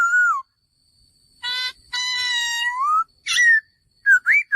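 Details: Male laughingthrush giving loud, clear whistled notes: a falling whistle, then rich harmonic rising and drawn-out phrases, and quick upslurred whistles near the end, separated by short silences.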